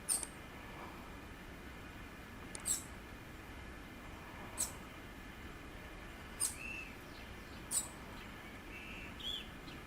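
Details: A bananaquit (Coereba flaveola) in the wild in Pernambuco, Brazil, calls and sings: thin, very high, sharp ticks about every one to two seconds, with a few softer mid-pitched notes, over a steady rushing background hiss.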